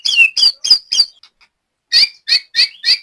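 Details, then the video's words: Captive white-rumped shama at a bird-training session in Banyumas, Central Java, giving two bursts of four loud, sharp, bending chirps each, separated by a near-silent second. "BURUNG LATBER MURAI BATU"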